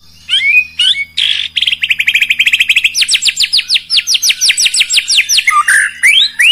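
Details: White-rumped shama singing a burst-filled song meant to provoke rival birds: a few whistled notes, then a long rapid run of ringing, downslurred notes, about four per second, that speeds up and rises in pitch, ending in chirps; faint low hum beneath.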